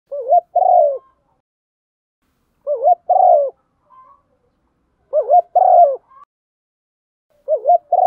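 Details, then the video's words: Female spotted dove cooing to stimulate a male, a call used as a lure: four mellow, low coo phrases, each a quick double note then a longer falling coo, repeated about every two and a half seconds with quiet gaps. "Tiếng chim cu gáy MÁI kích trống, chim cu mái thúc gù"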